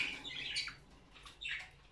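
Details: Breeding pair of cockatiels coming into condition, calling indoors: softer scratchy chirps and short squawks, one early burst, a quieter gap, then another brief burst of chatter.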